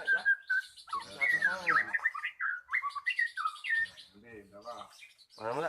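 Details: Magpie-robin song played as a lure for birds that have stopped singing; rich whistles, slurred rising and falling notes and harsh chatter, broken by short pauses, with a man talking nearby.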